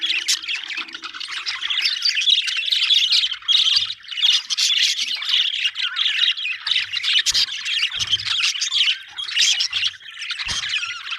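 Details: Budgies chirping happily in long, dense, scratchy warbling runs with squawks and sharp clicks, a few low knocks in the background.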